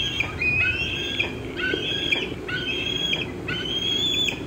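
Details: Young bald eagle squeeing around 4:45 pm on June 25, 2013, as an adult feeds on a fish in a nearby old tree; a steady series of drawn-out high whistles, each about half a second, with faint background rumble.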